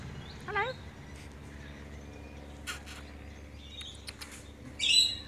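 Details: Sulphur-crested cockatoos, possibly at a backyard bird-feeding spot in Canberra, Australia, give scattered harsh, raspy squawks, with a loud grating screech near the end over a low steady hum.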